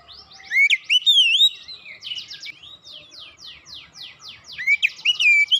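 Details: Oriental magpie-robin triggered to sing fast by one lure: sweet looping whistles followed by a rapid series of harsh, buzzy downslurred notes, then more whistled phrases at the end.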